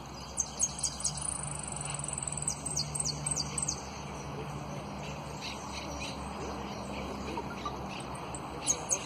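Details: Runner-up competition saffron finch singing high, sharp trills and clear whistles in bursts at the start and end, with a quieter stretch between, over steady background hiss; song style described as prio, golpe y pitadas.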